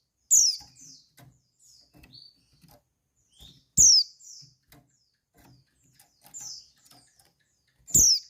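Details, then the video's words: Female white-eye call used to arouse males: three bright, sharply descending whistles about four seconds apart, interspersed with quieter twittering notes and light clicking sounds. "Call Burung Pleci Betina Perangsang Birahi Pleci Jantan"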